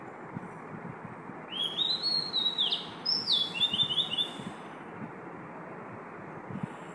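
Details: Oriental magpie-robin singing at 5 am: a varied phrase of clear whistled notes, some rising and some falling, lasting about three seconds, over a steady low background hum.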